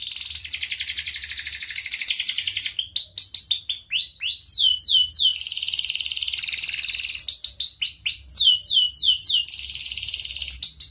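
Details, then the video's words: Canary song used to prompt lazy or silent canaries to sing: sharp, loud sustained high trills broken by rapid sweeping chirps, "cuit cuit" notes and rolling phrases, continuous throughout. "KENARI GACOR Suara Tajam Cuit Cuit ngeroL TERAMPUH untuk Pancingan kenari MALAS dan BISU cepat BUNYI"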